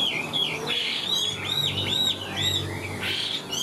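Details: Loud, clear whistled phrases from a caged Chinese hwamei singing high. Each note swoops up and down in rich slurs, about two per second, over a faint low background hum.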